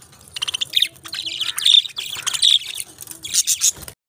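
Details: Budgerigars, pet parrots, give rasping, buzzy chirps and warbled chatter in several bursts, stopping abruptly at the end.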